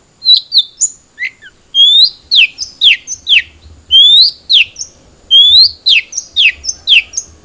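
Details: Long-tailed shrike, the cendet trotol, used to prompt a caged bird to sing: varied sharp whistled notes, some rising slurs and some falling, delivered in loose phrases with short gaps, over a steady thin electronic tone.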